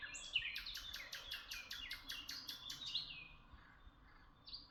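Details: Birds chirp in Tuzla, pouring out a fast series of repeated bright notes for about three seconds, then a few softer isolated calls over a light hum.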